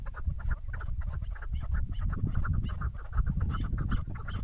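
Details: Female chukar partridge, recorded in a hunting context, calling in quick repeated throaty chuck notes, about three or four per second, against a constant low rumble.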